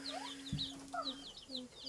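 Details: Baby chicks peeping: many thin, high, falling peeps overlap from several birds, with a steady low hum and a brief soft thump in the background.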